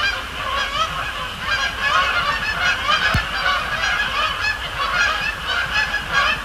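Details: Night flock of Canada geese at Sapsucker Woods Pond, Cornell Lab of Ornithology, arriving and landing; steady wall of rising and falling honks from many birds, one brief click midway.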